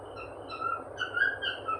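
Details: Happy cockatiel indoors in a small room giving short clear whistled notes, some rising and some level, several in under two seconds over a steady low hum.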